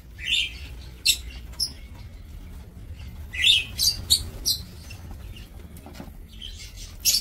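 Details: Breeding lovebirds kept in an aviary, recorded 2 October 2024, trade a run of sharp, high, raspy chirps, some in quick series of four or five, against a faint steady hum.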